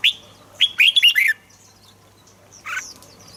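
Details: Red-whiskered bulbul singing, used to rouse other birds: a single clear note, then a fast, rich warbled phrase of rolling notes, followed by quiet and one more bright note, with a low background hum.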